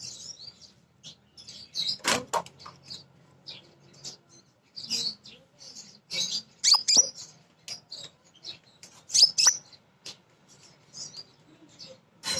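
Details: Crimson sunbird female calling for males, used as a lure for young birds: high thin tsit notes and squeaky twitters in irregular clusters, several sharp clicks, quiet gaps between bursts.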